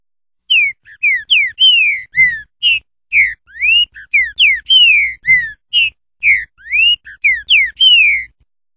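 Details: Brazilian green-winged saltator song variation, repeated phrases of loud pure whistled notes, some falling and some rising, with a longer downslurred whistle closing each phrase, given about every three seconds.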